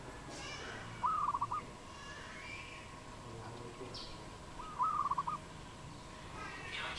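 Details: Wild dove in Cambodia, recorded 22 April 2020: two short stuttering bursts of rapid pulsed cooing notes, about five seconds apart, over a steady background hum with faint distant bird chirps.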